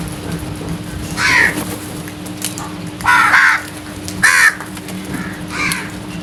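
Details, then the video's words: Crows calling in the early morning: four to five loud, harsh caws spaced about a second or more apart, each short and raspy, over a steady low hum and faint background noise. "Loud Noise made by Crows | Early Morning Birds Sounds"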